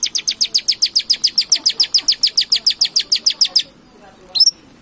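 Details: Long-tailed shrike singing to provoke other birds: a fast, even series of about eighteen high sharp notes, nearly four per second, stopping abruptly, then one lone squeak.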